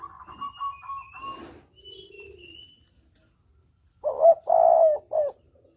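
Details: Lure recording of a spotted dove: a quick series of higher notes and soft low coos, then one loud three-part coo phrase, short, long, short, in the double-'kuk' style, with faint whistles of other birds.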